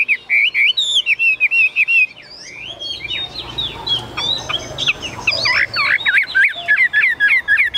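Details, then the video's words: Tame Chinese hwamei in a cage singing high, 'cao cầu' fashion: crisp repeated whistles at first, then a jumbled, fuller passage of overlapping warbles and fast trills. "Họa mi dáng ngũ trường, bóng bộ cực đẹp, hót cao cầu"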